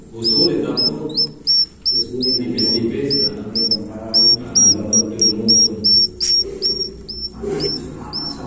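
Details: Baby swiftlets chirp in quick, clipped, high notes, several per second, throughout. Continuous low, droning harmonic tones run underneath.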